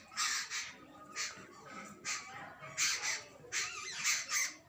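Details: Jungle babbler family of chicks and adults uttering scratchy, hoarse squeals in short bursts, several in quick succession, then a longer run of rasping calls near the end.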